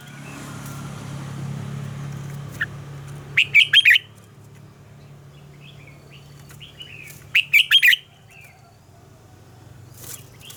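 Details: Red-whiskered bulbul giving a mature, wild-style double-note morning song, recorded as a lure for training caged birds: two loud bursts of three or four sharp, warbled notes about four seconds apart over a steady low hum.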